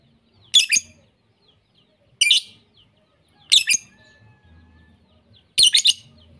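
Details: Lovebird chirps from a lure compilation of champion lovebird voices. Four loud, scratchy, high bursts arrive about every 1.5 seconds, the last one doubled, with quiet pauses between them.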